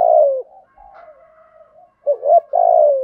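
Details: A male and a female spotted dove cooing to encourage song in trained birds. A falling coo ends, a long soft murmured note follows, then a complete phrase of a rising double note and a buzzy descending coo.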